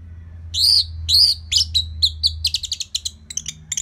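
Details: Orange-headed thrush from northern Bali, kept for tutoring other songbirds: loud rising whistled notes at first, then a quickening sequence of short, clipped chirps, over a low steady hum.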